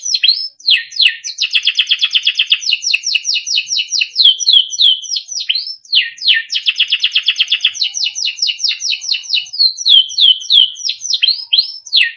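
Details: Timbrado canary singing melodic training song: bright trills and rapid rolling phrases high in pitch, two long phrases with fast buzzy rattles, repeated slurred whistled notes and sharp chips, clean recording without other sounds.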